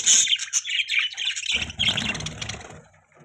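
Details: Budgerigar chirps and squeaky warbles pour out at first, then blend into a low background rumble and fade away.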